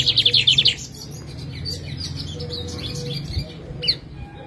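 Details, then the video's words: Kept lined seedeater (bigodinho pintor), Jataúba, Pernambuco, delivering a brief rapid trill of about eight high sharp notes lasting under a second, followed by quieter chips over low rumbling background noise. "Bigodinho pintor"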